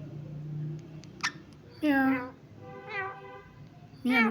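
An Indian ringneck parrot gives three nasal, voice-like calls, each under half a second, that sag slightly in pitch, over a low indoor hum and a sharp click.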